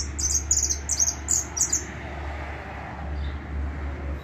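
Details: Hooded siskin, known as Argentine jilguero: a run of short, high, sharp chirps in quick uneven bursts over the first two seconds, then quieter, with a steady low hum underneath throughout.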